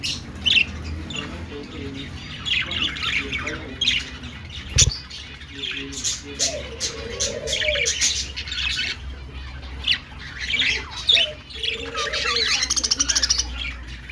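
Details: A crowd of budgerigars in a breeding colony chatters nonstop, with high scratchy chirps and warbles overlapping.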